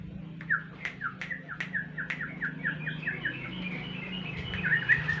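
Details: Yellow-vented bulbul song used as a lure to prompt birds to reply: a run of slurred, slightly descending chirps repeated about twice a second, with a low steady hum underneath.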